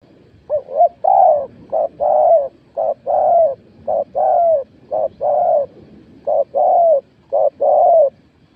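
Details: Spotted dove in a cooing contest, scored at point twelve: low mellow coos in paired phrases, a short note followed by a longer drawn-out coo, repeated about once a second through the stretch.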